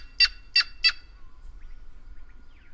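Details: Three harsh, grating calls from a White-naped jay in quick succession, each short and broad, then near silence with a faint steady tone in the background.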